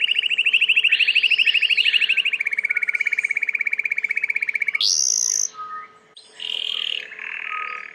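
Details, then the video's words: Belgian canary, kept as a domestic bird, singing a long rapid rolling trill on one low pitch, followed by loud high whistled phrases and shorter buzzy trills at varied pitches. "COMO FAZER SEU CANARIO CANTAR MUITO 20 MINUTOS DE CANTO"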